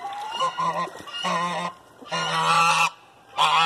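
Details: Geese calling while mating: loud, harsh, nasal honks in long drawn bursts, four bouts of calling within under four seconds, separated by brief quiet gaps.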